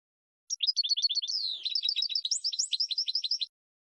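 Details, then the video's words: Maestro goldfinch tutor song: a single sparkling phrase of about three seconds, made of rapid repeated high chirps, a brief buzzy slur, then quick bright twitters. "GOLDFINCH 12h MAESTRO"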